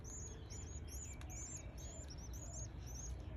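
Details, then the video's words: Begging canary chicks, day 11, being fed: a chorus of high, slurred up-and-down peeps in quick bursts, with brief gaps and a soft click, against a low steady hum. "Feeding frenzy canary chicks day 11"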